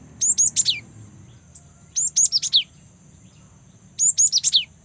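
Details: A young cinereous tit in full song gives quick bursts of high, squeaky chirps, a phrase roughly every two seconds, over a faint steady high whine; used as a lure to prompt captive tits to sing.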